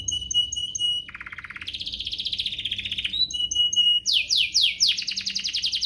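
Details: Canary song meant to get other canaries singing, opening with clear repeated whistled pips, a low fast rattle, a long buzzy trill, then rapid high swept notes repeated in quick succession.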